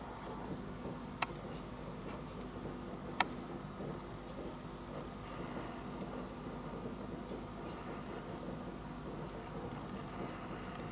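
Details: A Daurian redstart (Phoenicurus auroreus) calls outside a window while snow falls, giving thin, high single whistled notes about a second apart, over a low steady rumble with a couple of sharp clicks.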